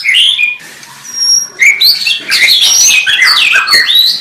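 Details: Varied white-rumped shama song: high pure whistles and quick slurred notes, interspersed with dense, buzzy chattering phrases.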